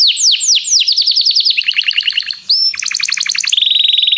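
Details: Canary song used to call another canary to sing, recorded for song training: descending swooping notes repeated rapidly, then quick chopped phrases, a brief rising whistle and a dense, steady high trill at the end.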